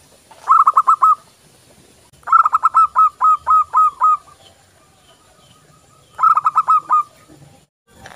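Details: Zebra dove of local stock, played to train other doves every day, delivers three separate bursts of quick, evenly spaced cooing notes, with the middle phrase the longest and quiet pauses between.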